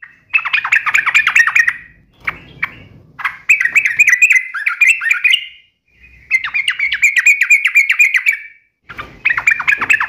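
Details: Energetic sooty-headed bulbul delivering the 'uplik nembak ropel tajam' song: repeated bursts of rapid, buzzy, chattering trills, roughly four phrases with short breaks between them.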